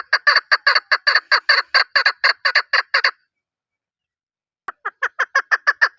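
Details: Rhythmic chukar partridge call: a rapid chain of raspy, chuckling notes for three seconds, a silent gap, then the series starts again, softer at first and building.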